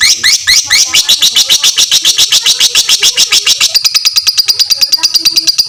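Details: Long ngekek song of a fighter lovebird, used to train other lovebirds: fast, shrill, rasping chatter, notes speeding up and tightening into a dense buzzing trill toward the end.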